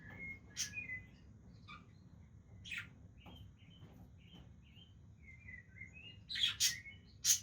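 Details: Budgerigars playing with each other, giving soft scattered chirps and short warbled notes, a few sharper squeaks near the end, over a steady low background rumble.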